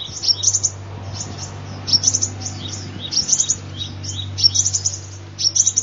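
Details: Sunbird song used as a lure: thin, very high twittering chirps in quick bursts of four to six notes, recurring roughly every second, over a steady low electrical hum.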